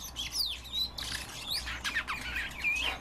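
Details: Kept common rosefinch giving slurred, sweeping whistled notes mixed with short chirps, a few phrases per second, against a faint hum.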